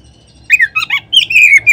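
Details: Lure recording of an Oriental magpie-robin, played to set other magpie-robins singing: after a short silence, quick varied whistled notes and a brief scratchy twitter, then a sustained high whistle.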